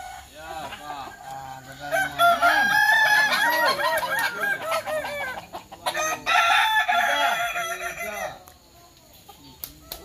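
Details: Many Kukuak Balenggek roosters crowing together at a practice contest in Sawah Lunto, Indonesia; a long loud chorus of overlapping multi-syllable crows with arched clucking notes, fading toward the end.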